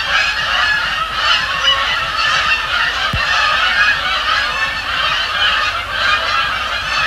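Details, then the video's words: Canada geese at night on Sapsucker Woods Pond, Cornell Lab of Ornithology, flying over and splashing down; a dense continuous chorus of overlapping nasal honks from many birds, with one sharp click midway. "Canada Geese, Thursday night at Sapsucker Woods"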